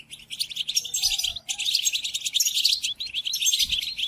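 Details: European goldfinch song used for teaching captive goldfinches during moult: high, rapid twitter phrases broken by short gaps at about one and a half and three seconds, with a faint mid-pitched tone early on.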